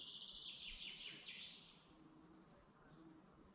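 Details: Birds singing in a forest in the Dublin mountains, Ireland, in the morning: a bright, high trilled phrase with quick descending notes opens the clip, then fainter twittering and a soft low hum under quiet forest ambience.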